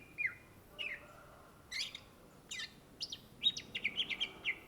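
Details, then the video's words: Greater green leafbird, called cucak ijo in Indonesia, gacor song: a few spaced downslurred whistles and rasping notes, then a quickening run of bright repeated whistled notes. "SUARA BURUNG CUCAK IJO GACOR , TELER"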